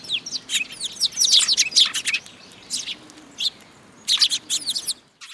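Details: Eurasian tree sparrows flocking to a feeding spot on a post at a Tenmangu shrine, 26 June 2022; bursts of many overlapping high, scratchy chirps, a lull, then another loud chattering burst.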